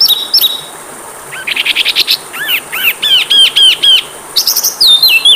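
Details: Oriental magpie-robin (kacer) training song with rich filler: whistled slurs, a burst of harsh broadband notes, looping downslurred whistles, then clear stepped whistles, all loud and close.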